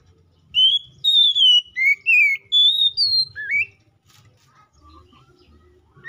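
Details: Kacer, the white-rumped shama, giving ngeplong rival-calling song used to make a shama sing: a quick string of clear whistles, some rising, some falling, then quiet with faint background noise.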